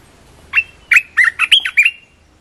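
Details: Red-whiskered bulbul singing one short lively phrase: a clear whistled note, then a quick run of five or six bright, chirping syllables with warbled, slurred endings, loud and close against a quiet background.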